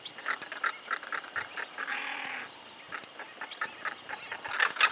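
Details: A southern crested caracara (Caracara plancus) in Santa Fe, Argentina, 2019, gives a harsh, rattling series of grating notes, about three a second, with a brief rasping hiss in the middle and faint background noise.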